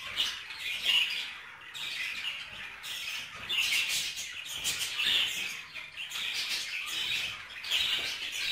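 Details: Caged budgerigars during mating, giving a long, busy chatter of rapid scratchy chirps and clicks in uneven waves, with louder squeaky bursts several times over eight seconds.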